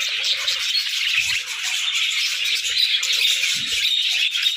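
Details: Cheerful budgerigars singing in the morning, constant high twittering and scratchy warbled phrases, with occasional low thuds and rustling.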